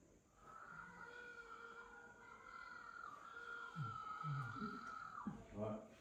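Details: Little blue penguin (kororā) at Pilots Beach, Dunedin, NZ, at dusk on returning to its burrow gives a long, droning, buzzy call held for several seconds, meaning "hi honey, I'm home"; recording played while a person talks over the end.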